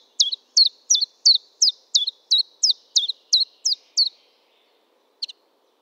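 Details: [['Eleven evenly spaced, loud, high chiffchaff notes, each dipping and hooking upward, about three a second, ending with a single quiet double chirp after a pause.']]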